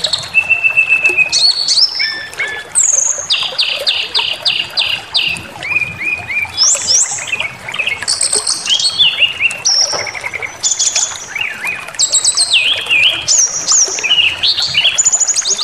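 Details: Brown-chested jungle flycatcher singing a lure meant to trigger aggression, with a rich continuous run of rapid buzzy trills in even series, clear held whistles and high chattering phrases, many overlapping over a constant faint hiss.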